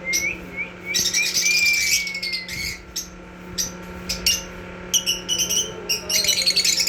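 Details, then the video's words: A black masked lovebird chatters indoors in shrill, rapid bursts of squeaky, buzzy notes, with a few thin rising whistles, over an indoor hum. "Black masked love bird singing sound"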